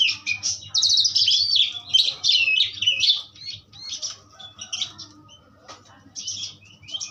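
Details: Energetic pastol song from an Asian pied starling, looping warbled whistles and twisting high notes for three seconds, followed by quieter sporadic chips and squeaks.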